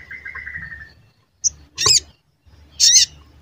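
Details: Sogon lure recording used to provoke other sogon into singing and agitation: a faint whistled note, then two loud, short, high chirps about a second apart over a quiet low hum.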